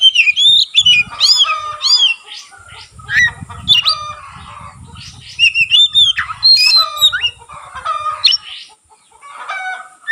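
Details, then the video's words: Lively white-rumped shama singing with tail fanned out, a long stream of loud looping whistles, sharp flicks and harsh chatters in rapid bursts, separated by short quieter gaps, with low rumbling noise behind. "burung kacer gacor buka ekor sekali bunyi langsung bisa merangsang kacerlain gacor"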